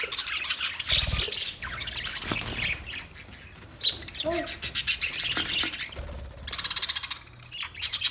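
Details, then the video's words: Budgerigar chattering with scratchy warbles and short squawks, broken by quieter gaps, then a run of rapid clicking chirps near the end. "Wildlife Budgies Birds Nature Sounds"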